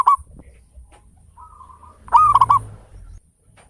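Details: Local zebra dove, kept to stimulate other birds' singing: a short coo, a soft trilled note, then one loud burst of quick stuttering coos, with low rumbling background.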